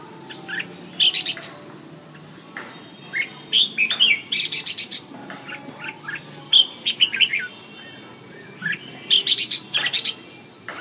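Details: Red-whiskered bulbul singing: bursts of bright, quick whistled and chirpy notes in clusters, pausing between phrases, over a faint low background hum.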